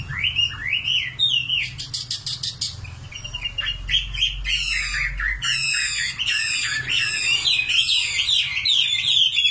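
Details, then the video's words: Common nightingale delivers rising whistles, a clicking rattle, then long runs of rapidly repeated trilled notes, loud and continuous. "Singing nightingale. amazing bird song"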